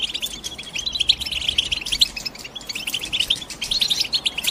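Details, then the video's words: European goldfinch chirping: clipped high notes in quick succession, steady lively twittering that swells slightly toward the end. "The GOLDFINCH CHIRPING SOUND"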